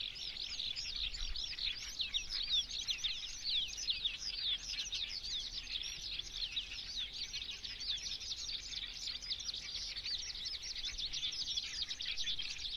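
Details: Eurasian skylark pouring out a sustained, rapid, high-pitched warble of chirps and trills that never pauses, in fairly clean, quiet surroundings.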